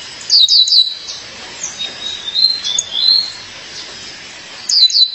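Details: Female violaceous euphonia calling to her partner: a burst of three sharp high chips, thin wavering whistles, then another chip pair at the close.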